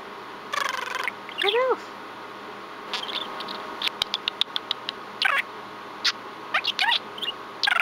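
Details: Chatty pet budgerigar at home, talking to its owner: scattered scratchy chirps, short rising and falling whistles and clicking bursts spread across several seconds, with a woman's voice speaking to the bird and a steady indoor hum.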